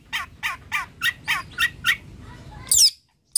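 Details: Long-tailed shrike, called cendet or toed, gives seven harsh, rasping notes at about three per second, then one sharp, high squeal, followed by a short silence.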